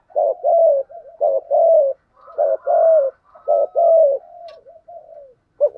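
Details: Decoy spotted dove kept to provoke wild doves, giving a steady run of cooing: paired short-then-long hollow coos repeated about once a second, with a fainter higher drawn-out coo overlapping midway and no other noise.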